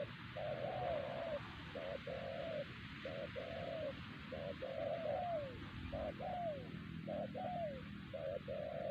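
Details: Spotted dove calling in the wild at Siosar while being lured with a decoy bird; a run of low, hollow coo phrases, short notes alternating with longer slurred ones, steady rhythm, background hiss.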